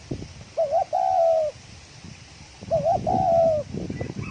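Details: Spotted dove of the thổ singing style, calling very fast: two clear hooting phrases, each a short wavering double coo followed by a longer level coo, about two seconds apart, over low rustling background noise.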